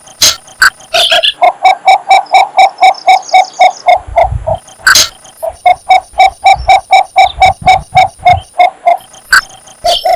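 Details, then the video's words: Mating call of a Cinnamon bittern: a long, even series of short, resonant clucks, roughly four each second, pausing once before resuming; scattered high-pitched bird chirps and clicks overlay it. "นกยางไฟธรรมดาร้องหาคู่ Cinnamon Bittern"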